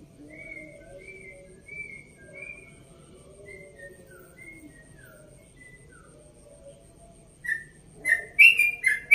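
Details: Dawn song of a one-and-a-half-year-old yellow-vented bulbul from Bekasi in rapid, relaxed style: soft whistled notes falling in steps, then louder, sharper burst of chattering notes near the end.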